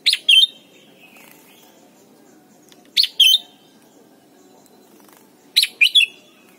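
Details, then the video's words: Red-whiskered bulbul from Thailand singing for young birds in training: three well-spaced two-part phrases, each a sharp whistled chip then a sweet, falling liquid note, repeated roughly every two and a half seconds over low hum. "นกปรอดหัวจุก Thailand Bird: เสียงดีมาก (สอนลูกไก่) เต็ม - ฝึกร้องเพลงร้องเพลงยอดหรือเสียงบิด"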